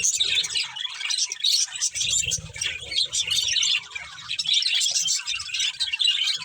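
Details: A flock of budgies chirps in an unbroken high warble, squeaky tweets overlapping with a soft low rumble in the background.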